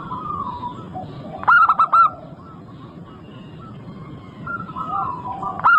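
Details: Active local zebra dove song: one loud phrase of four rapid, throaty cooing notes near the start, then fainter level coos from distant doves and a new phrase just beginning at the end.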